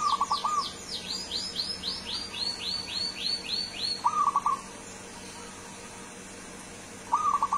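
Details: Wild-origin local zebra dove from Kebumen in full song: short bursts of quick, rolling mid-pitched notes about every three to four seconds, while another bird gives a run of high descending whistled sweeps, with steady background hiss.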